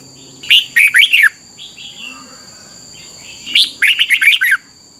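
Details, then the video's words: Red-whiskered bulbul song played each morning to train young birds in Thailand: two bursts of rich, warbled whistled notes, each phrase of about five quick slurred syllables sliding up and down, separated by a quieter pause, with a steady electronic whine behind. "นกกรงหัวจุก, 30 นาทีทุกเช้า เพื่อให้นกเรียนรู้ที่จะพูดได้อย่างรวดเร็วและหนักแน่น"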